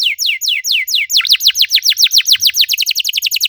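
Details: Canary lure song for stimulating other canaries: loud repeated downward-sweeping whistles that speed up into a quicker, tighter series of slurred notes, bright and high, with almost no background sound.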